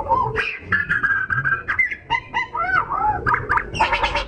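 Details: Oriental magpie-robin singing nonstop, used as a lure to provoke other birds into song; dense run of short whistled notes and sliding harmonic phrases, some buzzy and gurgling, in quick varied bursts with brief gaps.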